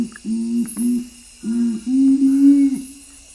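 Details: Nocturnal Curassow, strictly nocturnal bird of western Amazonian forest that sings from the canopy, gives its low booming song: two short paired notes, a pause, then a short note and a longer, slightly rising boom.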